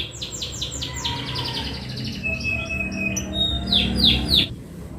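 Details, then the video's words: Singing canary delivering repeated descending whistled notes, then a long thin sustained tone with buzzy trills, ending in three loud slurred sweeps; steady low rumble in the background. "Kenari mana yg tahan dengar kenari suara kenari ini"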